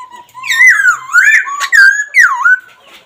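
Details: Laughingthrush calling in a continuous stream of loud, wavering whistled notes that swoop up and down, with several sharp accented notes and almost no pauses.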